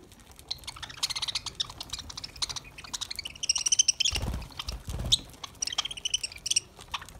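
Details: Feeding lovebirds with green summer food chatter continuously in rapid, overlapping chirps and raspy notes, with a couple of low thumps near the middle.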